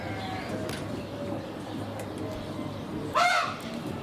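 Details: A common raven, loudly calling as the observer approaches it among captive birds of prey, gives a single harsh, rasping croak near the end after a stretch of quiet low background rumble.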